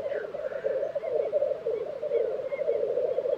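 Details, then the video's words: Black grouse at a lek in Swedish Tiveden, April 2023. The low, bubbling, cooing murmur never pauses, and a few faint high chirps from other birds sound in the background. "Black Grouse Lek - sound recording"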